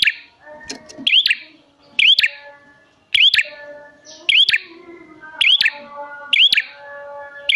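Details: Prinia lure sound from a bar-winged prinia, played so wild birds reply. Short upturned whistled chirps with dry clicks repeat with slightly uneven gaps, low tonal hum behind.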